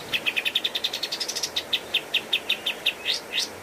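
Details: Pied triller (kapas tembak) master song for training cage birds: a rapid series of clear high notes, accelerating and rising slightly, then spaced repeated chips ending in two upswept whistles, over faint background hiss.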